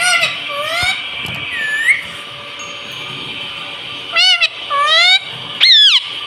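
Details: Talking pet parrot, said to speak "mummy" and "mitthu"; a few sliding, whistle-like notes early, then three sharp, bright, rising-falling calls near the end, with a constant electrical-sounding hum throughout.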